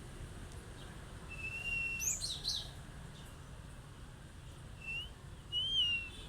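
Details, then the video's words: Cinereous tit singing keenly to provoke other birds to reply: a level mid-pitched whistle, then a jumble of very high chirps, later two short rising whistles, all over a soft constant background rumble. "tembakan tajam glatik batu gacor bikin emosi burung yang mendengar"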